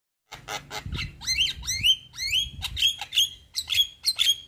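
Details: Javan myna, a white-eyed bird bobbing its head, chattering as a lure to stir silent mynas into song: harsh rasping bursts, then a run of sharp upward-sweeping whistled notes about twice a second, with faint low background rumble.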